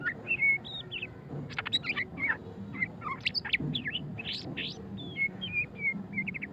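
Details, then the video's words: White-rumped shama (murai batu pastol) in ngeriwik song, mixing clear level whistles with fast buzzy chirp clusters and sharp rising notes, phrases tumbling one after another over faint low background rumble. "suara kicauan burung murai batu pastol ngeriwik - white-rumped shama"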